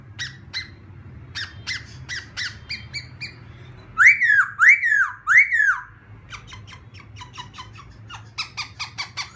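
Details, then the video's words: A laughingthrush (khướu kích bổi, a recording meant to provoke other laughingthrushes into singing) sings a run of sharp, harmonic notes, then three loud arching whistles and a quick string of clipped phrases, recorded indoors. "khướu kích bổi"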